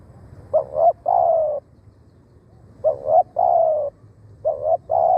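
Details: Spotted dove cooing as a decoy to lure wild doves; three paired phrases, each a short double coo followed by a longer, slightly falling coo, repeated about every two seconds over a low background hum.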